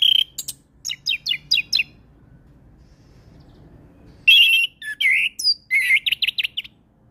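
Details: Orange-headed thrush song: a rapid series of clipped, downslurred whistles, a pause of about two seconds, then a louder burst of warbled and sweeping notes ending in a quick trill-like run.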